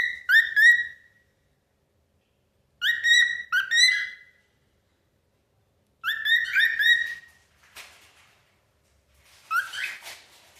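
A cockatiel whistles in short bursts of clear, warbling notes with brief pauses between phrases.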